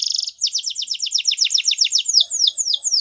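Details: Waterslager canary singing: a brief steady trill opens, then rapid slurred descending notes roll at about four per second before slowing into longer, falling whistled notes.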